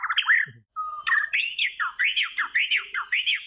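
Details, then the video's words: White-rumped shama singing: a run of rich, rapidly repeated rising-and-falling whistled phrases, fluty and melodic, after a short opening trill and a brief pause. "Rumped Shama Birds Singing"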